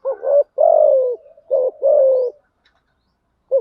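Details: Spotted dove decoy cooing, thúc gù and gáy gọi patterns, to pull in wild doves fast: two back-to-back phrases of a short rising coo and a longer gently descending one, then silence before a new phrase begins.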